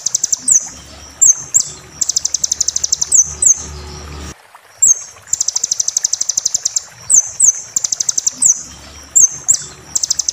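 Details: Tutor recording of a kolibri ninja sunbird, played to caged birds while moulting: bursts of rapid, high, even-pulsed trills alternate with short sharp upslurred whistles, with brief pauses between phrases.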